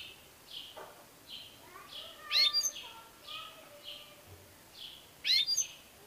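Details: ['European goldfinch: gentle high notes repeating, interrupted twice by loud, sparkling bursts of rapid tinkling twitter.']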